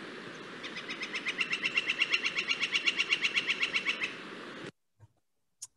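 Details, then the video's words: Flicker, a woodpecker of Santa Clara County parks, giving a rolling rattle likened to a Pileated Woodpecker's: a fast, even series of bright notes, about four per second, swelling in loudness and running roughly three and a half seconds before stopping. "similar in some ways to Pileated woodpeckers which I’ll play later so here's our Flicker."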